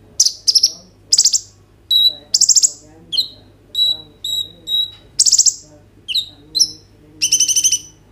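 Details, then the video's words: Gacor kolibri ninja sunbird singing, 'isian roll tembak' style, phone recording meant to prompt young birds to sing: sharp whistled notes, downslurred chips and short buzzy trills, roughly a dozen phrases in eight seconds, steady low hum behind. "KOLIBRI NINJA GACOR FULL ISIAN ROLL TEMBAK, COCOK UNTUK PANCINGAN KONIN BAHAN BIAR BUNYI"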